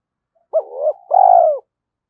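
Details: Early-morning spotted dove coo used to urge fighting and lure rivals: one brief accented note flowing into a fading coo, followed by a long, even, loud coo.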